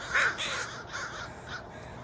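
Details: Crow giving one loud harsh caw, followed by fainter hoarse caws, over steady background hiss.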